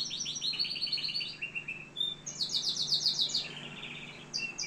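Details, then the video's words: Canary from Algeria delivering a fast high trill that steps downward in pitch, a brief whistled note, then a dense buzzy rolling trill and a lower rattling phrase, ending with short sharp chirps. "كناري صوة جميل"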